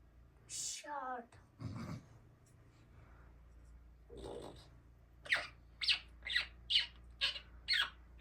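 An African grey parrot utters a few short, voice-like phrases with a falling tone, then a run of sharp, clicking squawks about twice a second in a quiet room.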